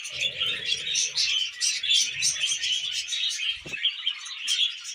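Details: Tame budgerigars eating millet chatter in rapid high chirps and warbling squeaks from several birds at once; one sharp click is heard partway through.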